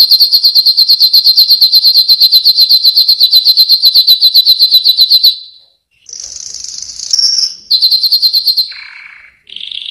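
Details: A yellow canary sings a long, very regular high trill of rapid repeated notes for about five seconds, then after a brief gap continues with buzzy rolls and lower rattling phrases.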